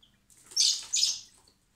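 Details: Common blackbird (Turdus merula) chicks being hand-fed in spring at a wildlife recovery centre give two quick, harsh, high-pitched begging squeals, one after another.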